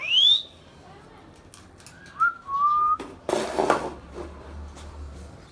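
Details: Pet Indian ringneck parrot whistling indoors: a bright rising sweep, then two short level whistled notes, followed by a clatter of noise and a low hum.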